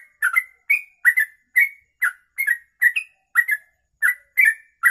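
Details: Sooty-headed bulbul giving its long 'kongslet ropelan' song, usable as a tutor: clean whistled notes, often doubled, each a short slide, repeated roughly twice a second in a quiet setting.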